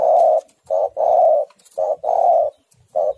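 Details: Female spotted dove (tekukur) calling to a male. Loud, close coos in a quick short-long rhythm, six notes in about three seconds, rich and low-pitched.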